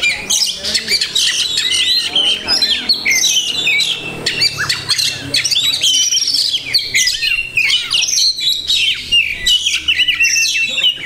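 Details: Oriental magpie-robin (kacer) of the bird-keeping hobby singing at length: a busy medley of mimicked phrases, sharp chips, harsh rasps and liquid whistled slurs, densely packed and energetic.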